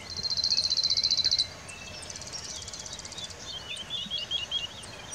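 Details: Cirl bunting in a riverside forest singing a fast, dry, metallic rattle of identical high notes on one pitch, lasting over a second. A fainter trill and other birds' chirps follow.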